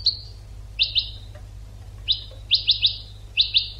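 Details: Tutor song of a European goldfinch used to train birds: short descending chirps, mostly in pairs and triplets, sharp and tinkling, with a quiet steady hum underneath.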